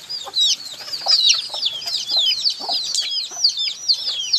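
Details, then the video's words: Loud, crowded peeping of chicks: high, quick, down-slurred chirps overlapping continuously, with occasional softer lower notes in between. "HUNI NG SISIW, ACTUAL FOOTAGE CHICKS SOUND"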